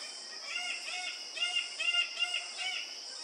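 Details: Red birds-of-paradise (Paradisaea rubra) calling at a courtship lek on Waigeo, Papua, in July 2024: nasal, arched notes in quick overlapping series, about two or three a second, over a steady high insect drone.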